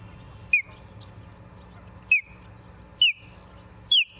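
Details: Osprey at a nest in Charlo, Montana, 28 September 2023 at 17:45: four sharp, whistled, downslurred chirps spaced about a second apart over a low steady hum.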